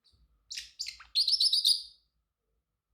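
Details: Male Pacific parrotlet, a pet bird, chirping: a few short scratchy high notes, then a rapid run of bright trilled chirps lasting about one second, then quiet.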